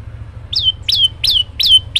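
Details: Lively olive-backed tailorbird song with variation. Five high, falling chirps, each gliding down into a brief level whistle, spaced evenly about three per second against a faint low rumble.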